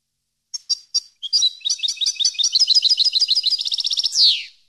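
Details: Goldfinch song from a recording for educating captive European goldfinches: three spaced high chirps lead into a long, lively twitter that quickens to a rapid trill, ending with a rasping descending buzz.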